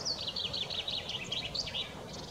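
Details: Common chaffinch singing on 6 April 2021: a rapid run of high, bright chirping notes that tumble slightly downward over about two seconds, with low background rumble.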